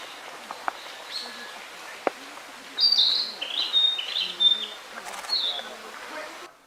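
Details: Mount Rokko narcissus flycatcher delivering a lively series of high whistled and warbled notes over about three seconds, preceded by faint clicks and quiet forest background.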